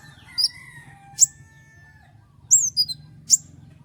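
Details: Kolibri ninja, a songbird kept to tutor others, giving a few sparse, very high, sharp whistled notes with short pauses between, plus faint low tones in the background.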